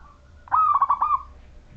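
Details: Majapahit-type zebra dove, a local wild bird in active song, recorded to coax other doves into calling: one clear cooing phrase of quick staccato pulses ending in a drawn-out, slightly falling note.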